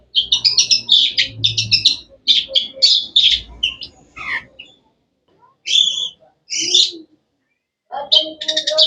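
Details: Sharp, varied chirping of a cendet, the long-tailed shrike: quick rattling runs of high notes for several seconds, a pause, two separate chirps, then another brief buzzy burst.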